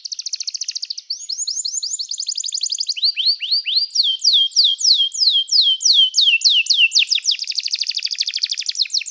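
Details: Canary song for training: long continuous phrases, a fast trill followed by quick upward and downward whistled sweeps, ending in a dense rapid trill.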